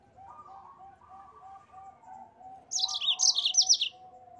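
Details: After soft repeated low whistled tones in the background, a yellow-fronted canary breaks in with a loud one-second burst of rapid, high, buzzy trilled notes, rolling ngerol style for training cage songbirds.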